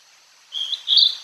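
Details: A Hodgson's hawk-cuckoo sings at Tokyo Citizens' Forest, heard but hard to spot. It gives two shrill, high whistled notes, the second higher and rising, over a quiet background.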